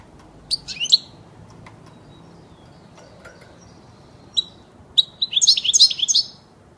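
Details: European goldfinch song for tutoring young birds: a short burst of high, liquid twittering notes, a few scattered single chirps, then a longer rapid tinkling phrase near the end, over a faint low background hum.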